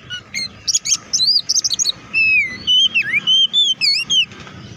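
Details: Oriental magpie-robin song used to stir other magpie-robins: high sharp chips followed by rich whistled slurs dipping and rising, delivered in quick loud phrases.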